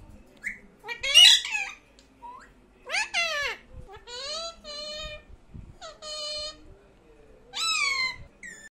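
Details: Pet parrot talking in loud, rich, voice-like phrases with rising and falling harmonic syllables, some harsh squawky bursts, and quiet pauses between the utterances.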